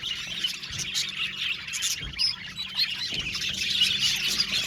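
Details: Australian budgies in an aviary warble and chirp together, with short whistled squeaks and rising notes standing out over a continuous high twittering background.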